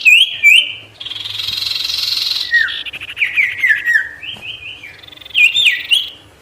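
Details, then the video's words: Sirtu bird singing vigorously, a lure recording said to provoke wild birds and draw rivals close: sharp high whistled notes, a buzzy rasping stretch, then falling slurred whistles and quick chirps. "SIRTU GACOR BIKIN EMOSI BURUNG LIAR | Full Variasi Alam"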